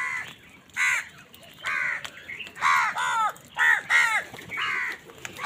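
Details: Many wild crows fighting with other wild birds over food in the morning, giving harsh, nasal caws with stacked harmonics, about six loud calls in quick succession, some overlapping, separated by short quiet gaps.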